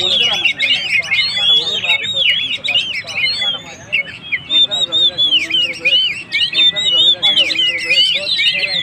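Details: Oriental magpie-robin in vigorous song to rouse stressed birds: rapid twisting whistles and sharp chirps over softer lower warbles, dense and continuous with short rhythmic breaks.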